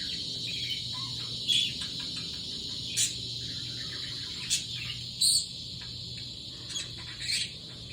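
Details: A budgerigar making mixed sounds gives scattered sharp, high chirps over a steady, buzzy high-pitched hum. Finding: Budgerigar.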